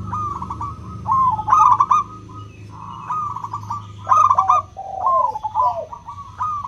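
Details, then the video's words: Local zebra dove 'crystal' song played to coax doves that rarely sing: rapid bubbling coo phrases, each under a second, in four bursts with short gaps, a second dove overlapping, low rumble and thin high tone behind. "Pancingan PERKUTUT LOKAL suara KRISTAL, untuk memancing perkutut susah bunyi"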